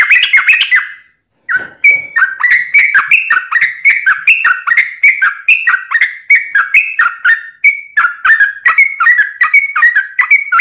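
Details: Yellow-vented bulbul pouring out a long, nonstop ropelan song, meant for training birds and luring wild bulbuls: after a short opening phrase and a brief pause, a steady string of bubbly, slurred notes follows, several per second.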